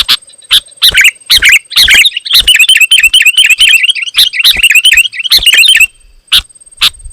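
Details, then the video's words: A sooty-headed bulbul sings loudly to provoke rival bulbuls, giving spaced sharp chirps that break into a fast run of rapidly repeated, slurred, rising-falling whistled notes before spaced chirps return. "Suara Burung KUTILANG GACOR, Rapat dan Lantang Menekan Lawan Burung Kutilang Lain Auto Emosi"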